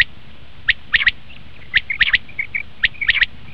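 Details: Common quail heard for quail hunting: sharp, high three-note phrases repeated about once a second, with faint soft chirps between the phrases and a low background hum.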